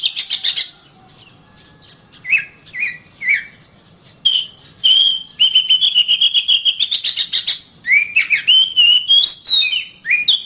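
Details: Oriental magpie-robin (kacer) master song for training caged birds, suited to morning or afternoon sessions: chattering, scattered downslurred chirps, then long rapid trills of whistled notes and varied sliding whistles.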